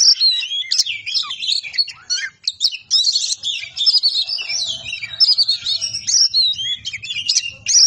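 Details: Indonesian kacer, an Oriental magpie-robin, singing 'ngobra patah' style for masteran: dense, continuous rush of warbled whistles, chatters and twisting notes with only brief pauses, faint low rumble in places.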